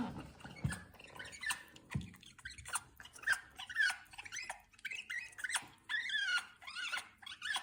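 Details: Indoor African grey parrot kept as a pet, producing short sliding whistles and bent chirps, several falling notes in a row, with soft clicks and thumps between them.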